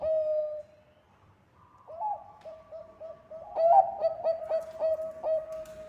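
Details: Zebra dove of the Bangkok type, singing energetically as a lure: an opening coo, a short pause, then a long rapid series of short, soft cooing notes repeated several times per second.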